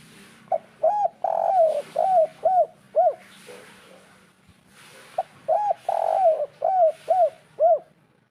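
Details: Spotted dove 'kuk 3' lure call over steady background hiss: two cooing sequences, each a short note, a long sliding coo and several rounded quick coos.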